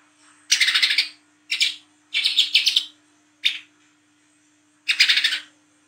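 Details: Olive-backed sunbird in active 'ngriwik' chattering song, recorded at night and used as a lure sound: five loud, harsh, buzzy bursts of rapid chatter, each under a second, separated by short pauses, with a steady low hum behind.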